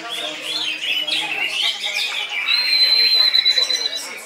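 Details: Greater green leafbird in koncer song: wavering, slurred whistles give way to a sustained, steady high whistled tone over a busy background of quick chirps.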